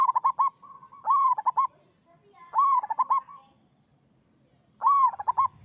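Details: Local zebra dove singing persistently in the kerot style: three loud phrases, each a rising swoop followed by a rapid stuttering string of bubbling coo notes, roughly two seconds apart.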